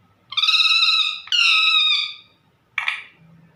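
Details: Parrot indoors calling for mummy, its owner: two long, steady, whining calls back to back, almost a second each, then a brief rough squawk after a pause.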